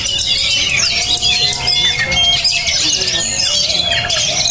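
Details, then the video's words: High-spirited, tough-minded Oriental magpie-robin in a continuous burst of sharp, high chattering notes mixed with brief clear whistles and fast downward slurs. A low background hum persists throughout. "menjanjikan kacer beremosi tinggi dan bermental baja"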